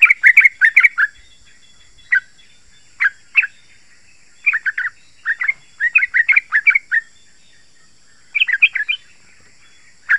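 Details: Yellow-vented bulbul song used to lure wild bulbuls and set caged ones singing: repeated clusters of bubbly, chattering notes with short gaps, some phrases of one or two notes.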